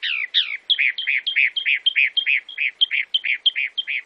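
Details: Chalk-browed mockingbird from Brazil giving a varied song: two slurred opening notes followed by a steady series of paired phrases, a short high note before each lower burry note, repeated about three times a second.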